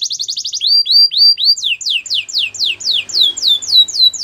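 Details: Belgian canary training song: a fast burst of short chips, then rhythmic, looping whistled notes falling in pitch, repeated about four times per second.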